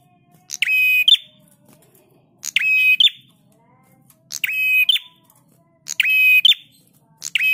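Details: Master recording of a singing prinia for cage-bird training: rasping, steady buzzy phrases with a sharp end note, recurring about every one and a half to two seconds over a faint low tone.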